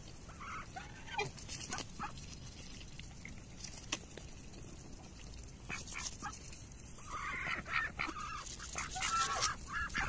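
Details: Two Bali duck sisters fight while eating cabbage leaves in a pond, giving harsh, rasping quacks in short bursts, loudest near the end, over pecking and rustling.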